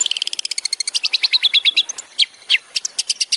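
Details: Long-tailed shrike singing for a master recording used to train songbirds, with a fast stream of repeated buzzy notes shifting into slurred whistles and sharp descending calls, continuous and loud.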